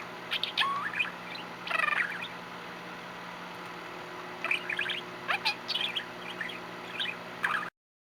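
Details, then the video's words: Pet budgerigar, male, dated 8/1/13, giving scattered chirps and warbled trills: a burst early on, a rapid trill near two seconds, a quiet gap, then several short chirps before the sound cuts off. "Benji the Budgie Chirps, Talks, & Chirps Some More"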